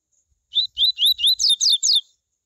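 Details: Double-collared Seedeater singing the tui tui song style, used to heat up other males into singing: a clear run of about seven whistled notes, first slurred and rising, the last ones dropping sharply from higher pitch, all within a second and a half.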